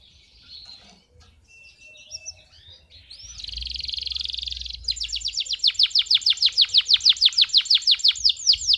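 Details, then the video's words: An excited male canary sings to train young canaries and rouse females: soft twitters, then a dense buzzy roll, then a long, steady trill of swept notes repeated about three times a second. "اقوى تغريد ذكر كناري حامي نار 🔥 ولا اروع للتسميع صغار الكناري وتهيج الاناث"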